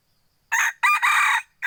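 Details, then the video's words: Loud crow from a second-generation hybrid red junglefowl: after a short silence come a rough, buzzy first note and a broken, harsh second part of about half a second. The start of another note is heard at the end. "Tiếng gà rừng f2 gáy"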